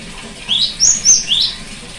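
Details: Cinereous tit song played as therapy to get a silent bird singing again: high thin whistled notes alternating with lower rising slurred notes, four notes in quick succession over steady faint background hiss.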